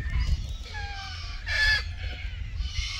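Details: Red-tailed black cockatoo in Keep River National Park, June 2023, during courtship and mating; one loud, rasping harmonic call stands out midway, with fainter notes around it and a constant low rumble underneath.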